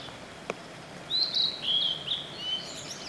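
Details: Spring song of a blue-and-white flycatcher perched high in a waterside forest after rain, a flowing phrase of sweet high whistles with dipping, slurred notes, preceded by a brief click and backed by steady hiss.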